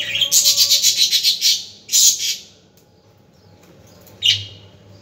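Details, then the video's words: Budgerigar calling in a rapid series of about ten sharp, high, buzzy chirps over just over a second, then a louder double squawk and, after a quiet gap, one final bright chirp. "اصوات طيور الحب البادجي للتحفيز"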